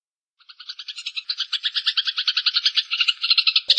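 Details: ['Eurasian tree sparrow variation song for training songbirds: after a brief silence, rapid clipped chirps build into a quick rolling chatter, about three notes a second, clean and loud.']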